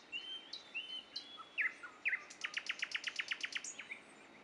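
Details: Common nightingales singing at Dubki: a few clear whistled notes open the phrase, then a fast, even run of about a dozen loud repeated chirps near the end, with a quiet, steady background.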